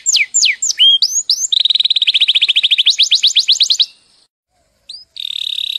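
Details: A pet orange canary sings a bright, high song: fast downslurred whistles, then a long rapid trill, a short pause and a buzzy rattle.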